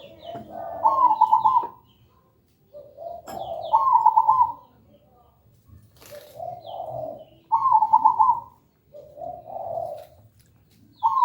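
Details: Zebra dove (perkutut) singing loud and clear, used to coax other birds into song: a repeated pattern of a soft low coo followed by a bright rolling trilled note, four times in steady succession.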